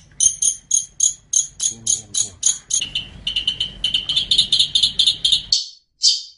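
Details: Long-tailed shrike song used as training material for cage songbirds: crisp, high, clipped notes in quick rhythmic series, then a lower buzzy run ending in two drawn-out rasps.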